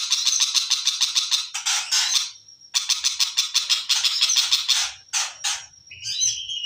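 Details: {'caption': 'Long-tailed shrike delivering fast harsh rattling phrases at about three notes a second, with brief high whistles between them. Varied squeaky notes close the passage.'}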